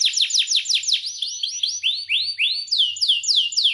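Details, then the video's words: Belgian canary singing a training song to encourage other canaries to sing, with quick downward-sweeping trilled notes giving way to rising, arching whistles repeated several times a second, clear and high-pitched with no background noise. "CANTO PARA ESTIMULAR CANÁRIO BELGA A CANTAR - Canto de Canário Belga"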